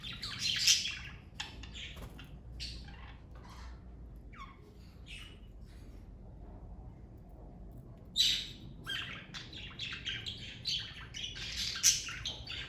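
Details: Pet parakeets in a family group giving scattered bursts of scratchy chirping, split by a long quiet pause in the middle. Loud, sharp calls stand out near the start, again around eight seconds, and once more near the end.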